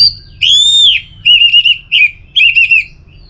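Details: Orange-headed thrush singing a lure phrase meant to stimulate other birds to sing: a long, clear, slightly arched whistle, then quick paired warbling notes in short groups, loud and close, over faint low hum.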